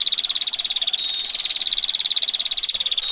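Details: Tight, sharp-edged tick trill of a female bar-winged prinia, steady and fast, with one step up in pitch near the first second, accompanied by faint running water.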